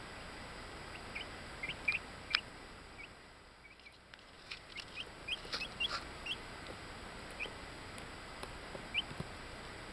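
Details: Buff, black-laced Orpington bantam chicks, ten days old, recorded in Binzen in May 2013, giving thin rising peeps, some in short runs of two or three, irregularly spaced against a quiet, even background hiss.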